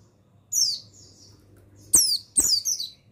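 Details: Mountain white-eye (pleci buxtoni) therapy song for getting males singing: a short high twitter, then a softer thin note, then two bright descending chirruping phrases, each begun by a sharp click.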